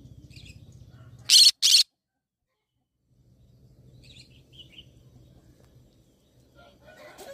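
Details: Green-cheeked conure producing a pair of sharp, harsh screeches close together, followed by quiet with faint distant chirps and a low background hum.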